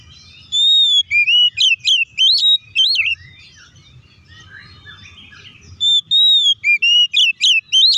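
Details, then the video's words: Song of an oriental magpie-robin, played to provoke rival magpie-robins into singing; bursts of loud, fast whistled notes swooping and twisting, broken by a quieter pause in the middle before the whistling resumes strongly, over a faint low hum. "KACER GACOR NGEPLONG TARUNG KONSLET BUKA PARU❗PALING AMPUH BUAT PANCINGAN KACER AGAR CEPAT EMOSI!"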